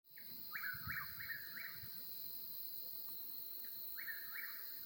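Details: Eastern whip-poor-will at night in the Oklahoma mountains; clear three-part whistled phrases, rapidly repeated, over a steady high insect drone and faint low rustling.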